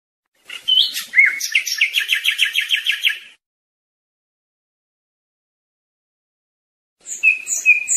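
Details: European goldfinch song used to teach young birds: a burst of varied twittering that turns into a fast, even trill of repeated notes for about two seconds, a long silence, then a fresh phrase of liquid notes begins.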